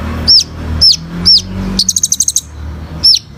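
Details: Sunbird called kolibri ninja, singing as bird-training material: three high downslurred whistles about every half second, a brisk run of metallic chips, then one more whistle.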